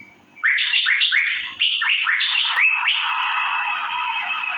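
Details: After a quiet start, an Asian fairy-bluebird (cucak biru) launches into fast, repeated downward-slurred chirps that merge into a continuous, buzzy chattering stream.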